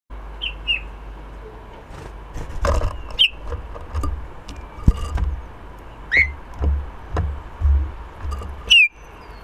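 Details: Eurasian bullfinch calling near a balcony bird house, recorded with a Rode microphone; several short whistled notes, some sliding downward, spaced a few seconds apart over a low background rumble and scattered clicks.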